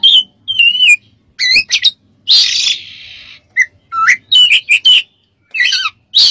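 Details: Oriental magpie-robin (kacer) song for training other birds: wavering whistled notes, short chips and a long harsh hissing burst, then bright rising whistles.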